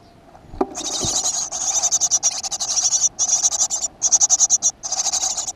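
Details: Great tit at a nest box in a school garden, 7 June 2015: loud, rapid buzzy pulse trains, high-pitched and rasping, running almost without pause after a soft knock at the start.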